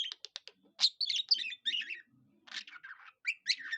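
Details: Budgie imitating cockatiel song: fast clicking ticks at first, then scratchy warbled phrases and bright chirps, with a soft low murmur in a brief lull.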